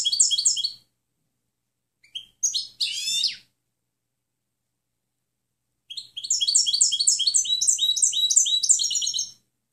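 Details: A European goldfinch sings for training other birds: short twittering bursts, a few separate slurred notes, then a long fluent run of fast repeated tinkling chirps lasting over three seconds.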